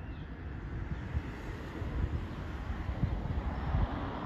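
Only low rumbling wind and engine-like noise is heard, with no animal calls.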